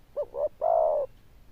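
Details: Zebra dove with a loud, bell-toned voice and good cooing style, giving two short rising coos and then one long, steady, mellow coo, with quiet background.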